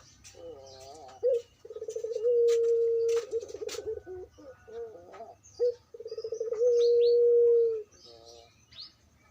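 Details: Pelung-type Barbary dove from Demak city with a 'crying' call: quavering opening notes lead into a very long, steady, drawn-out tone with a wavering tail, repeated after a short break; scattered small-bird chirps and faint clicks around it.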